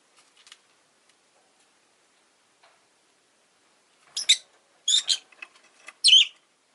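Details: Rosy-faced lovebird giving a cluster of sharp, harsh chirps late in the recording, two close together then a louder final one, after a near-silent start with a faint early chirp.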